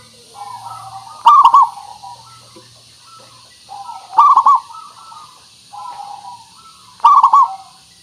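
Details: Local zebra dove song used as a lure to prompt birds to answer: three loud rolling, stuttering coo phrases about three seconds apart, each trailed by softer, lower drawn-out coos.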